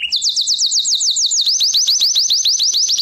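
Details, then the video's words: Canary singing lesson: fast repeated rising-and-falling whistled notes, about seven per second, changing shape midway into sharper upward flicks. "Canary Singing - lesson 33"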